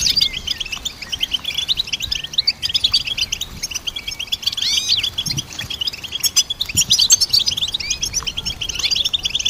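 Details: Dense goldfinch twittering: fast liquid chirps mixed with slurred, bending whistled notes and brief sharp clicks, a continuous chorus of bright high tones throughout.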